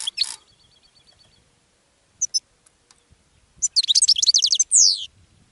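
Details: Goldfinch song used to attract other birds: scattered high chirps, then a fast burst of bright twittering notes ending in a sliding buzzy downstroke, all high-pitched with quiet gaps between.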